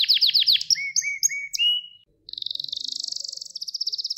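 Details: Singing Gloster canary, a training recording meant to excite males: a few fast chopped notes, a series of slurred upward whistles, a short pause, then a dense high buzzing trill.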